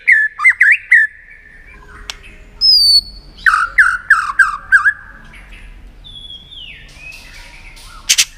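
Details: [2, 'White-rumped shama, tail-flicking and singing to provoke other shamas to compete: quick series of warbled, looping whistles, a clear high note, then a run of descending slurred phrases and a thin sweeping whistle.']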